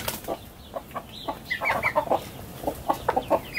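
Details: Morning in a garden as chickens leave their coop: scattered low clucks joined by thin, higher chirping notes in bursts, with quieter gaps between.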